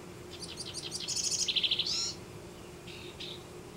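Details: House wren nesting in a yard in Denver: a fast run of high trilled notes, then buzzy repeated phrases and a rising slurred note, fading to softer chatter.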